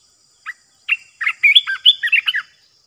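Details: Decoy sound of a red-eyed bulbul for catching birds: a single chirp, then a tumbling series of quick, fluty, up-and-down notes about eight strong, crisp with no other noise.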